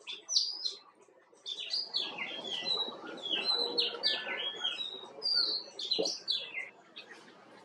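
Himalayan bulbul giving bright, bubbly whistled notes in quick rising and falling phrases, with other birds chattering in the background.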